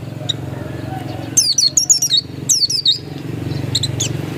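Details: Oriental white-eye, described as a pure original bird, delivering two short bursts of high, slurred, descending twitters over a steady low hum, with a few faint thin notes at the end.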